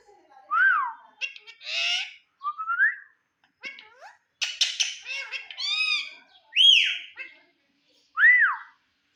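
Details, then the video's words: Indian ringneck parrot chattering at its reflection in a mirror, mixing clear rising whistles with buzzy, speech-like syllables, each phrase short and separated by short silences. "Cute Indian Ringneck Talking Parrot"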